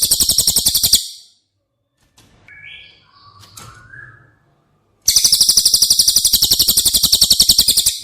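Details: Cililin song used as training audio for caged White-rumped Shamas. A high, rapid, pulsed trill stops, then soft upslurred whistles and clicks follow during a lull before the loud buzzy trill resumes for three seconds.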